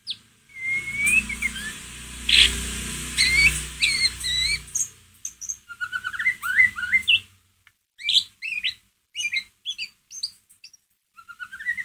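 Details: White-rumped shama calling in ngeriwik style as a lure for another shama's emotion: rapid varied whistled slurs and twitters over a low background rumble at first, continuing as quick chattering notes after the rumble stops.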